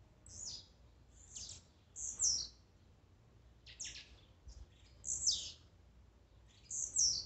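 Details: Songs and 'macheados' of Blue-black grassquit gathered to excite a kept bird: about seven short, buzzy, high notes that fall in pitch, repeated irregularly every second or so, with a clean background.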